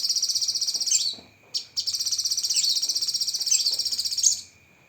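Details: Cucak kinoi leafbird singing full 'tembakan' filling: extended fast buzzy trills in the upper range, pulsing about four times a second, interrupted by brief sharp notes, over a continuous thin background whine.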